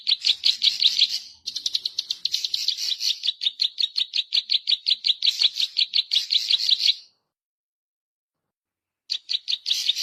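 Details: Zitting cisticola song used to lure birds and as a tutor recording: long trains of quick, high, ticking notes, about three per second, broken by a short gap and then a two-second silence before resuming.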